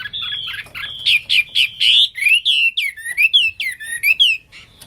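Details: Hwamei, known as wambi, giving gacor song: a rapid mix of sharp notes and long sliding whistles that swoop down and up, loud and continuous for about four seconds, then fading.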